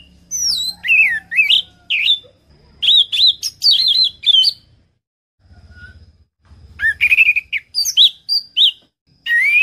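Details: Varied orange-headed thrush song, recorded as training song for cage birds. Rapid sequences of sweet whistles, slurs and chirps come in bursts separated by short pauses, with a faint low hum in between.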